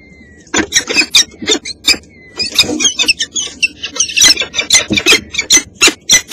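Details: Peregrine falcons at a nest in Helmond on 19 April 2017, on the day an egg hatched, with the first food brought in and two young and one egg present: loud, harsh, rapidly repeated squealing bursts in uneven series.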